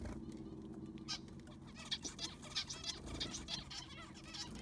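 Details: Zebra finches kept in an aviary while the sand is replaced; scattered short, nasal beeping calls from several birds, sparser at first then in quick bursts, with a constant low hum underneath.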